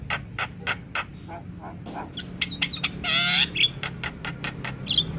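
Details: Javan myna song for training starlings, full fill-in: harsh clicking notes, a buzzy tremolo burst and brief whistles over a faint low drone.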